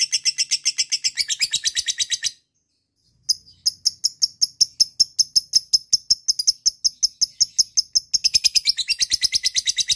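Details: Lovebird ngekek lure for calling a rival: bursts of fast shrill rattling, a brief silence, a run of quicker separate ticking notes, then the dense rattle again.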